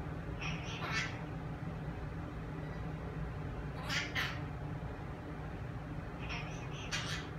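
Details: Pet parrot speaking to an Alexa smart speaker, asking it to play Elton John's song "Levon", which it loves to hear; three short, breathy, voice-like bursts come at about one, four and seven seconds over a steady low room hum.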